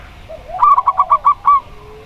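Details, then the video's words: Local zebra dove (perkutut lokal) with a clear 'plong' voice: one rapid burst of about six bubbly, staccato coos at even pitch, each note sharply accented, preceded by a soft low rising coo. "Perkutut Lokal Suara Plong"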